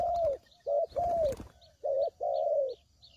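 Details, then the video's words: Spotted dove call used as a lure for trapping: low, mellow coos in two short and two drawn-out notes, with a brief rustling burst midway and faint high chirps behind. "Suara Pikat Burung Tekukur"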